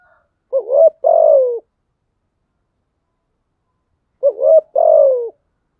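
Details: Lure spotted dove cooing to encourage others to coo: two identical phrases several seconds apart, a quavering short note followed by a long descending coo.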